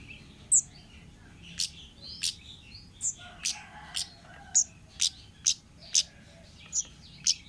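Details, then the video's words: Forest-living orange-headed thrush singing a lure track: a rapid run of piercing high chips, some paired, with thin slurred whistles woven between and faint background hum. "suara burung Kemade ngalas"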